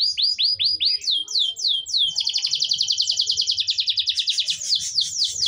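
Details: Canary song, high and fast: repeated downward-sweeping chirps, then a rapid rolling trill of tightly packed notes, with a low rumble underneath.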